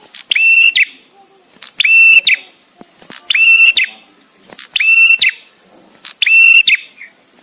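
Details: Bar-winged prinia, visiting male, recorded with gaps to train songbirds: five bright, flat whistles with clicking attacks, evenly repeated roughly every 1.5 seconds in a quiet setting.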